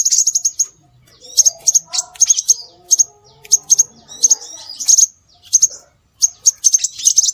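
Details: Scarlet minivet calling to draw birds in: quick, high, sharp double and triple chirps repeated steadily, with a faint lower warbling sound underneath in the middle.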